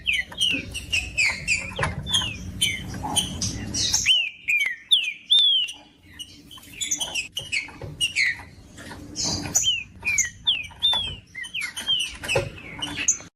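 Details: Caged green-winged saltator singing, used to stir up a cold bird for tournaments: a long busy stream of short downslurred whistles and sharp high chips, a low rumble in the first few seconds.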